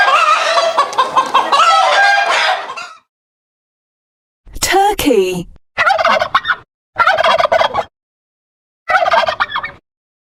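A turkey gobbles in a long, rapid, rattling burst, then in four shorter bubbling gobbles separated by brief silences.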